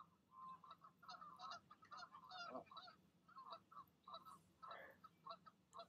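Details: Goose parents on an evening nest, urging their goslings to take the leap down; dense bursts of nasal, harmonic honks and grunting calls tumble over one another in quick irregular runs, with a few higher, thinner notes mixed in.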